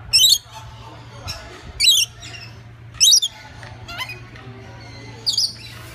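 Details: Lorikeets in a zoo exhibit at the Cleveland Zoo give harsh, shrill screeches in short bursts about every second or two, over a low indoor hum.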